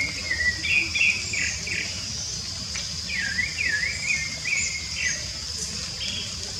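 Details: Rufous-bellied thrush singing in open nature. It gives a steady run of melodious whistled phrases, some swooping, some twittering, with brief gaps between them. A persistent shrill insect drone and occasional high chirps sound behind.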